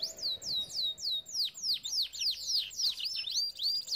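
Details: Canary song used for training canaries: a steady run of descending whistled sweeps, about three per second, followed by quicker overlapping swooping notes.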